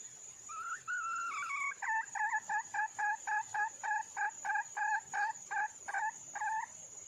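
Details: Wild female red junglefowl calling for a mate: a loud run of harsh, two-toned cackling notes, repeated rapidly about every third of a second for several seconds, over a steady high insect whine.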